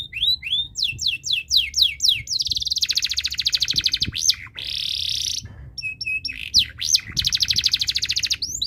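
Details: Canary in breeding condition, singing steadily to set other birds singing: rapid series of repeated falling whistled notes, long fast buzzy trills, then more sweeping repeated notes and rolling trills.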